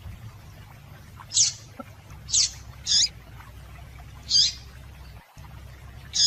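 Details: A female yellow-bellied seedeater gives high, clipped call notes that are used to stir males to song. There are about six separate chips at irregular intervals, with a low constant hum underneath.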